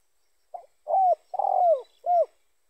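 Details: Spotted dove call, also usable as a lure for other spotted doves during bird trapping. A short soft note is followed by three mellow, low coos, the middle one longest, each falling slightly at the end.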